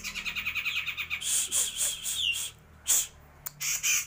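A grey-cheeked bulbul sings a fast run of about eight chattering notes a second, then breaks into loud, harsh, buzzy bursts and a brief sliding whistle.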